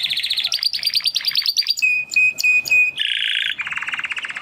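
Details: Young male Timbrado canaries, two brothers from the 2020 second breeding, in their first song attempts after first molt; fast trill, a steady pulsed whistled note, then lower rolling trills in succession.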